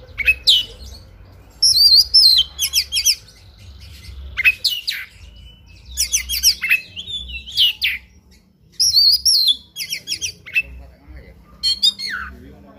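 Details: Oriental magpie-robin singing in fighting mode, a full song packed with varied phrases: loud bursts of sharp whistles, rapid rattling trills and buzzy chatter, separated by short pauses and repeated across the recording, with faint low hum underneath.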